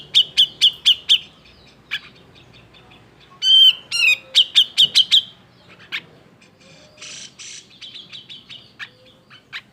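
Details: Grey-cheeked bulbul giving an agitated song meant to stir quiet birds into singing: bursts of quick repeated whistled chirps, a pair of rising-falling whistles, then scattered softer notes and a brief buzzy rasp.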